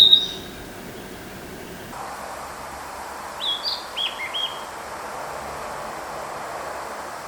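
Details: A forest-dwelling Narcissus flycatcher in Japan in spring to early summer sings a brief phrase of four clear, slurred whistles in quick succession over a steady outdoor hiss.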